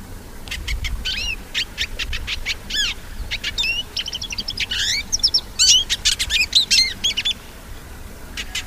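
A hooded siskin sings a fast, continuous twittering song of high clicks, trills and thin rising and falling whistles, with a faint low rumble beneath.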